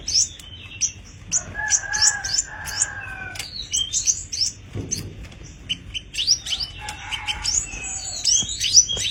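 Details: Tame caged sogon (sepah raja) in varied, lively song: scattered high rising whistles and chirps, a short lower held whistle, and a busy chattering passage of quick sweeping notes.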